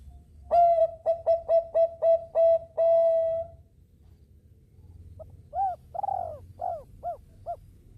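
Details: Bangkok zebra dove in full song, meant to prompt other birds to join in: seven quick, clipped, level hooting notes, then a short pause and five arched, bubbling coos spaced about half a second apart.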